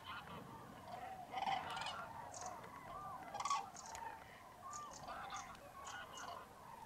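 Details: Common cranes calling as a huge roost awakens on a foggy, freezing mid-January dawn in Tablas de Daimiel, Spain; trumpeting notes roughly every two seconds over a dense murmur of many birds, greylag geese and teal among them.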